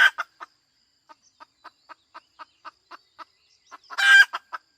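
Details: Hen's steady short clucks, about four per second, build toward a loud, rough, drawn-out squawk near the end, followed by a few more clucks.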